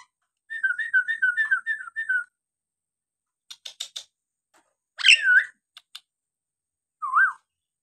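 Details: Nias hill myna singing to stir lazy birds into song: a warbling, wavering whistle for over a second, scattered clicks, one loud harsh descending note, then a rising-falling whistle.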